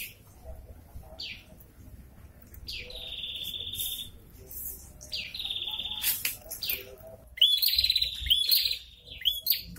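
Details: Prinia (prenjak kepala merah) in breeding condition, male and female answering each other: several drawn-out buzzy trills, then a rapid run of sharp, ringing high chirps.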